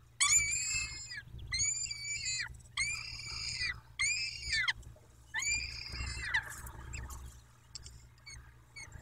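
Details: Peregrine falcons at their nest in Dobra, 14 May 2021: a steady series of long, harsh, harmonic wailing calls, each about a second long with brief gaps, fading into soft chirps at the end.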